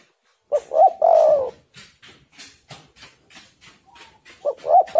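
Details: Tekukur, a spotted dove, cooing in a lure recording meant to set other birds singing: mellow rolling coo phrases at the start and end, with a series of soft dry clicks or taps between them.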